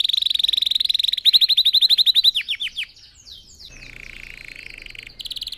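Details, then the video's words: Red factor canary singing to train other birds: a loud, rapid buzzy trill, then a string of swept chirps slowing down, soft warbling, and a final trill burst. "Red Factor Canary Singing"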